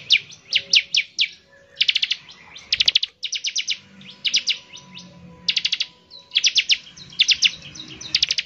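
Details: Bar-winged prinia singing in the rapid-fire 'nembak ngebren' style, used to prompt other prinias into song: bursts of four to six sharp, high chipping notes, repeated with short pauses and faint low background hum.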